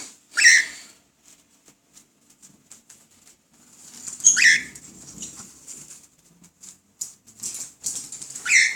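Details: A cockatiel in Belo Horizonte gives loud, shrill, harmonic calls spaced a few seconds apart, with soft rustling between.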